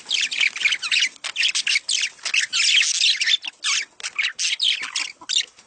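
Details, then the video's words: Budgerigar mating chatter meant to encourage breeding, continuous, high and scratchy, with quick squawks and chirps packed closely together throughout. "صوت تزاوج العصافير الاسترالي محفز ليهم"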